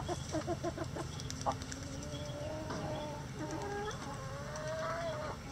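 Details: Rooster crowing in a sunny backyard coop among a flock of egg-laying breeds and bantams: quick clucks open, then long drawn-out gliding calls that rise and hold, with a steady hum beneath.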